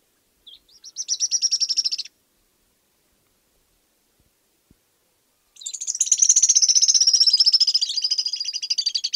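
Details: Stripe-crowned Spinetail (Cranioleuca pyrrhophia) song: two high, fast, buzzy trills, a short burst and then a longer one that slowly drops in pitch; nothing else heard.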